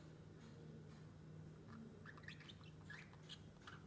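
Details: A pet lovebird makes soft, short squeaky chirps in scattered bursts over the second half while playing with a bell, against a steady low indoor hum.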